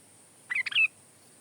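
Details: Sooty-headed bulbul (kutilang) giving a single short, bubbly phrase of quick liquid notes ending in a brief whistled slur, over a quiet background.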